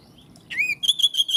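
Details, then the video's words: Oriental magpie-robin singing a rising swept whistle followed by a string of bright, even whistled notes, with faint background hiss. "Kacer jenis apapun jika dengar suara ini langsung RESPON"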